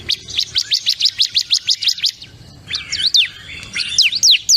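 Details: Ciblek kristal, a Bar-winged Prinia, gives a fast run of high, clipped chirps, then breaks into squeaky, twisting notes that rise and fall, with a faint low hum underneath.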